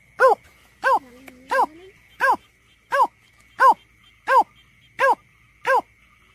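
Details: Greater painted-snipe calls played as a survey lure: nine arched, hollow hooting notes at a fairly even pace, a soft lower rising tone between the early notes, and a steady faint whine throughout.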